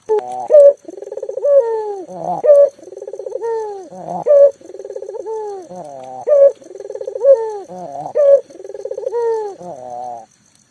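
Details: Vigorous local puter dove, a caller meant to draw mute doves into cooing, repeats a cycle of trembling pulsed coos, drawn-out descending notes and loud abrupt bursts, about five rounds in steady succession.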